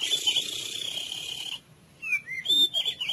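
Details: Therapy sound for a mute, sluggish white-rumped shama: a steady high whistled note held for over a second against a hissing background, then a pause and a string of short, sliding whistles.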